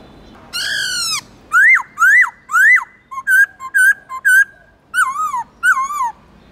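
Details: Singing Black-throated laughingthrush with many voices, meant to rouse captive birds: a long falling whistle, three sharply rising notes, short level chirps, then downward-curving whistles.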